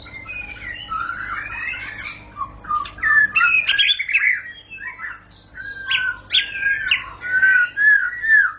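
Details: White-rumped shama pouring out a rich jumble of whistles and quick chattering notes. The song gets louder and more emphatic in its second half.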